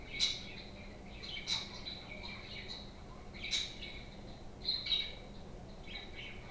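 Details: Pet budgerigars, playful parakeets kept at home, giving scattered sharp chirps and short warbling squawks, several bursts spread over six seconds with a faint low hum underneath.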